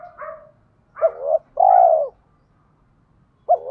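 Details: Spotted dove giving rustic-style coos to lure wild doves to fight: a soft coo, then a double note and a long falling coo, another phrase beginning at the end.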